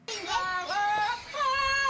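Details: A nine-year-old parrot at a UK zoo sings a Beyoncé melody in a clear, voice-like tone, sliding between held notes with a wavering vibrato. No other sounds stand out.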